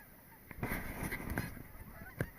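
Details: About a hundred geese fly over in six V formations spread across the morning sky on the last day of Indian summer, honking in a scattered chorus of short, nasal calls.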